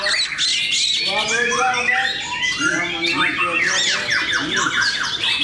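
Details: Singing-contest white-rumped shamas at Cikeas deliver fast descending slurred whistles and repeated chirping notes in a crowded chorus, growing denser and higher after the first second.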